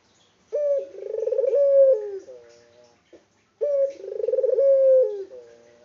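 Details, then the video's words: Local Indonesian puter dove calling persistently, unedited: two long cooing phrases about three seconds apart, each a rolling, throbbing coo that ends in a drawn-out note with a softer tail. "BURUNG PUTER LOKAL GACOR ISTIMEWA"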